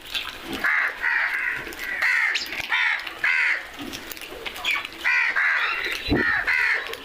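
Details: Crows calling noisily, with harsh, hoarse caws that carry bright overtones. They come in a steady series of short bursts, roughly one or two each second, across the whole stretch, over a faint background hum.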